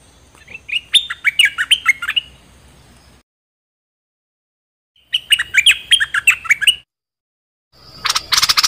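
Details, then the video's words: Dok Taeng bird song, played to train young birds and excite them: two bursts of quick, bright chirps dropping in pitch, about three per second, separated by silence, with a harsh buzzy rattle at the end. "เสียงนกดอกแตงEp.2 ใช้หัดลูกนก เปิดให้นกคึก!!"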